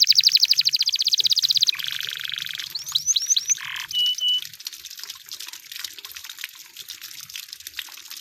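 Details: Canary in the wild singing a fast high rattling trill, a buzzy rolled tour, a few downslurred whistles and a short pure note, then the song fades into faint background twittering.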